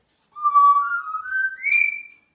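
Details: A pet African grey parrot, described as a clever talking parrot, gives one clear, drawn-out whistle that climbs in steps from a low to a higher tone over about two seconds, in a quiet room.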